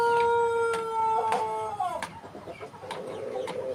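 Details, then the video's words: A white Pelung rooster ends a long crow. A clear, steady tone held for over a second dips and breaks off, followed by scattered knocks and a noisy yard background. "Suara Ayam Pelung Putih Istimewa"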